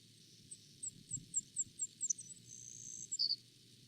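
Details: Savannah Sparrow song, a breeder found throughout Newfoundland in small shrubs and bogs: a run of thin, very high ticking notes that quicken, then a long insect-like buzz and a short lower trill at the end.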